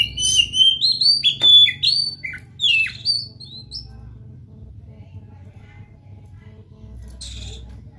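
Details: Oriental magpie-robin in lively song to draw another bird into singing; a dense burst of looping whistles and scratchy chips for three seconds, then near silence with a faint high call.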